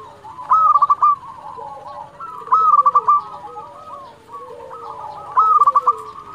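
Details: Local zebra dove in full song, used to lure rivals and make them reply: three loud bursts of quick, stuttering trilled coos roughly every two and a half seconds, with a chorus of fainter doves cooing behind.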